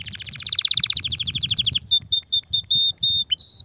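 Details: Loud canary mating song used to excite females toward breeding and nest building: a rapid descending trill, then a string of clear, separate high whistled notes and short slurs, with a faint low rumble underneath.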